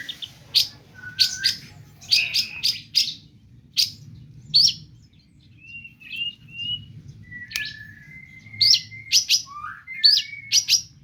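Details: Long-tailed shrike giving spaced mimicked phrases: sharp high chips, then clear drawn-out whistles at varied pitches, some sliding, ending with quick chirps.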